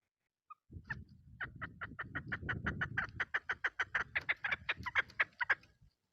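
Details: Female chukar partridge used as a lure, heard at a distance: scattered clucks building into a quickening series of sharp notes that grow louder, over a low rumble of background noise.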